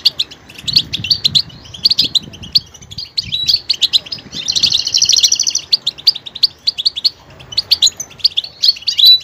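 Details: Goldfinch singing a varied song that switches between different sounds: rapid high twittering, with a long buzzy trill in the middle and sharp chirps, with faint low rumbling underneath.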